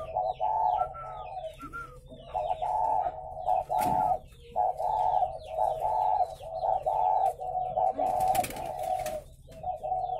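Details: Caged spotted doves at a Vietnamese breeding farm in Ba Vì, Hanoi, calling in a dense run of rough, droning coos, several overlapping, with brief clattering knocks and soft chirps in the background.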